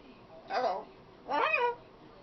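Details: Two loud speech-like phrases from a talkative female pet macaw, the second longer with a falling, drawn-out ending, over low room noise.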